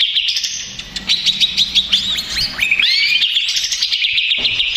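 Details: Agitated Greater green leafbird used as a lure: a run of sharp rising whistled notes and slurs gives way to a fast, unbroken buzzy twitter.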